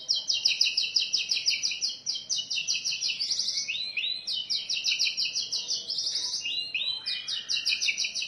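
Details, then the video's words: Oriental magpie-robin with a rich, varied song, used as a lure and training master: fast rattling trills of repeated high notes, about three per second, broken by sweeping whistles, over faint steady background noise. "Suara burung Kacer Isian Mewah, Buat pancingan dan Masteran"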